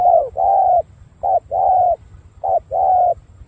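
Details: A spotted dove from Cà Mau coos in a steady rhythm: three two-part phrases, each a brief low note followed by a longer mellow coo that falls slightly at the end, with soft background hum.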